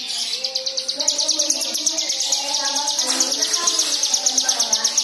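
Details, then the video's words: White-eye singing, played to stir other white-eyes into song: a continuous stream of rapid, high, even chirps, nearly three per second, over quieter lower warbles. "Pancingan Cigun Agar Bunyi Dengan Ful fariasi Isian Mewah"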